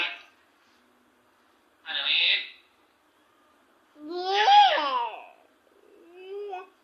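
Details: Talking African grey parrot mimicking human speech indoors: short babbled syllables, then a longer warbling phrase with sliding, whistle-like tones, followed by a softer trailing utterance.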